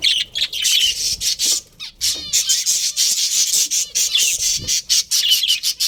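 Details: A budgerigar colony housed for breeding keeps up a fast, overlapping chatter of high buzzy chirps and warbles. The chorus is steady with only short dips in loudness.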